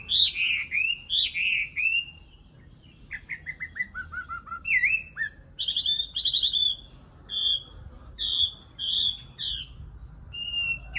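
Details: Nightingale song in varied phrases: loud, rich whistled notes, a descending series of short slurs, then bright repeated chirps and buzzy elements separated by brief pauses.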